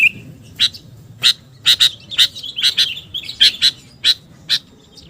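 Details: Sooty-headed bulbul calling as a lure: a short whistle opens, then loud paired chip notes repeated about every half second.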